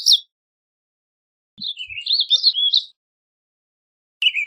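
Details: Warbling vireo, a small North American songbird of open deciduous woods: a short warbled phrase of rapid slurred notes around 1.5 seconds, bracketed by brief isolated chirps, in an otherwise silent background.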